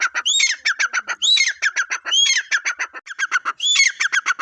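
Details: Repeated harsh partridge calls, squealing rising notes followed by rapid chattering pulses, cycling roughly every second with almost no pause between bouts.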